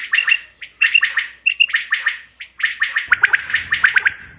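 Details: Quail call used as a hunting lure, dated 5 June 2025: quick clusters of sharp, chirpy notes repeated about every half second, with a brief low rumble near the end.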